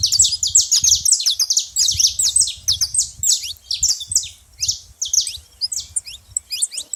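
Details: Saffron finch being very loud at a feeding spot, pouring out bright, high, slurred chirps in quick overlapping series, with only faint low sounds behind.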